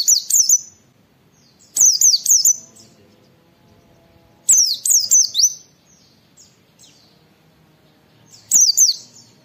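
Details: Wild-style white-eye firing song for training caged birds: four bursts of three to four piercing, zigzag high whistles separated by pauses of about two seconds, with faint thin notes trailing some phrases.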